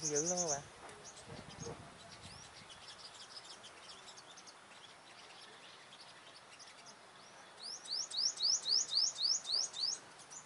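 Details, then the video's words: Sunbird confronting rival dominant males: a lower wavering note opens, then quiet scattered chips, ending with a regular series of about ten rising, sharp high notes in quick succession. "Bây chim hút mật 5màu đối đầu với những con " Đ.ầu đ.àn ""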